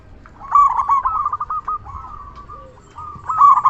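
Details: Local zebra dove with a big voice, singing to draw responses from other doves: a rapid run of rolling coos, softening mid-phrase, then rising again to a loud ending burst.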